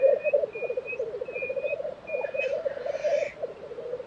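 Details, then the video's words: Black grouse lekking in Tiveden, Sweden, April 2023: rhythmic low bubbling throughout, broken by a rough, drawn-out hiss lasting about a second, plus short high whistles early on. "Black Grouse Lek - sound recording"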